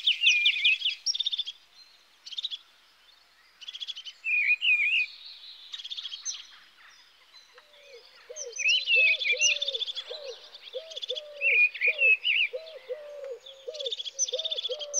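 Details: European greenfinch singing lively twittering and buzzy trilled phrases with whistled wavering notes. From midway, a dove's low repeated cooing runs beneath the song.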